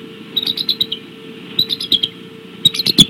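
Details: Bald eagle calling at the Decorah nest, 17 March 2016, 18:15. Softer runs of high, piping notes come in three short groups, and the last one grows louder and sharper. A steady hum sits beneath.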